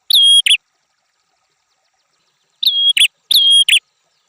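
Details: A red-headed prinia sings one sharp, level whistle ending in a rasp. After about two seconds of silence come two more, slightly rising at the start.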